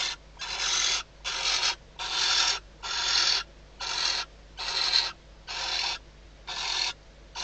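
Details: A female barn owl at Riet Vell reserve, Ebro Delta, calls at night from inside her nest box to the male before mating, with hatching days away. Nine rough, snoring hisses repeat almost rhythmically, slightly softer than the others.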